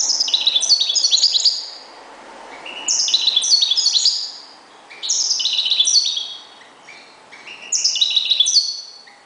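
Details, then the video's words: Kept European goldfinch, one of its keeper's reclamo (call) birds, singing four bursts of bright, tinkling, twittering song, each about one and a half seconds long with short pauses between, in a quiet setting. "jilguero.uno de mis reclamos"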